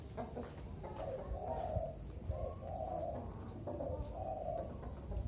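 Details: Young zebra dove aged four to five months, being trained to sing while hoisted on a pole, gives soft mid-pitched coos in three rolling phrases, each led by short clipped notes, over steady low background hum.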